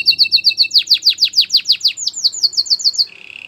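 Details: White canary singing: quick repeated whistled notes that swoop downward, speeding into higher shorter notes, then ending in a soft low buzzing trill.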